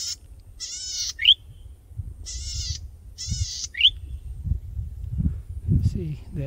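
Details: Tiny male golden-headed cisticola in breeding plumage, perched high on a tall grass stalk and singing to attract a mate: twice a rasping buzz followed by a sharp rising liquid note, with low building noise in the background.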